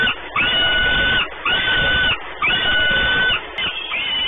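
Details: Peregrine falcon wails at the Orlen nest in Płock, Poland, 28 May 2019. Three long, even, tonal cries about a second apart, then a softer fourth call trailing off.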